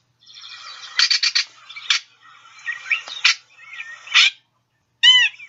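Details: Gray Catbird (Dumetella carolinensis) ratchet call from a Sibley guide recording: a harsh, rapid, dry chatter of four or five quick bursts, mixed with scratchy phrases and a short slurred note near the end.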